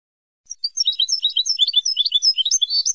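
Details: Old-style Moroccan Ceuta song tape of European goldfinch, recorded from birds brought in through Ceuta and mixed with other wild birds' phrases. After a brief silence, a fast run of bright, high twittering notes and sharp chirps continues to the end.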